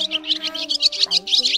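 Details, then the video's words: Barn swallow flock-calling and roosting lure recording used to attract migrating swallows for trapping in the August 2023 season: rapid, high twittering chirps, about six a second, over a low steady musical hum. "Bộ Tiếng Bẫy Chim Én , Nhạn Bụng Trắng Bẫy Lưới Và Keo Di Cư Vụ Chim Tháng 8 - 2023 Bản Gọi Và Ngủ"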